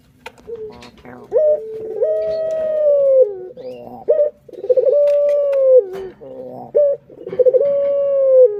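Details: A pet Barbary dove (puter) gives three drawn-out, rolling coos, each about a second and a half long, roughly every three seconds, in a quiet room.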